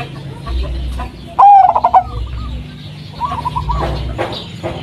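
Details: Local zebra dove of the Blorok Madu type, a striped bird with white markings, used as a lure to make other doves sing: one loud mellow cooing phrase with a quick trill, while softer rolling coos from other doves and low hum sound behind.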